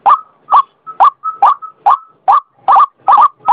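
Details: White-breasted waterhen (local name ruak-ruak) lure call: loud croaking notes about every half second, several joined by a thin level whistled tone.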